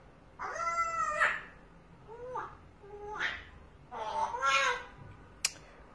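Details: Pet parrot indoors, seeing a cat through the window: chattering speech-like phrases with rising and falling tones, one sharp click near the end.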